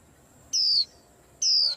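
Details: Caged white-eye on a stand making the birds around it restless: two clear, very high whistles sliding slowly downward, each about a quarter second long, almost a second apart, over a quiet background.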